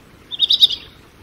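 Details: Short, quick burst of high, twittering European robin notes, about half a second of rapid tinkling warble against a quiet background.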